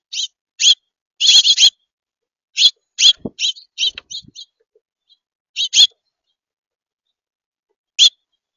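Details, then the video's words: Finches in a flock chirping in quick clusters of short bright notes, several bunched together early on, then sparser single calls with long quiet gaps before one last chirp near the end. "A flock of finch’s"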